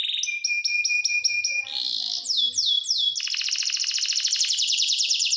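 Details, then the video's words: Canary song opening with ringing, metallic repeated notes over a steady whistle, then quick descending sweeps and a dense, buzzy high trill; faint soft murmurs in the background. "The Voice of the Canary Bird, singing a super relaxing bird melody. This is the best canary singing"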